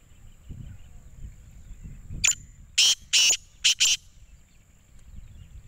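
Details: Black francolin calling: a harsh, grating phrase of four to five loud broadband bursts spread over about two seconds, set against quiet rural background noise with a steady high hum.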